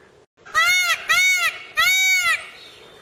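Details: Peacock in a garden in a natural setting: three loud, nasal, wailing honks, each about half a second long, rich in overtones and gently arched in pitch, the second following closely after the first and the third after a brief pause.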